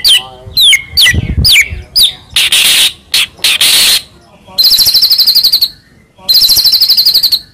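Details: White-rumped shama, called murai batu, from Medan, singing loud varied phrases: sharp downslurred whistles, harsh buzzy bursts and rapid trilled rattles, with short pauses between phrases.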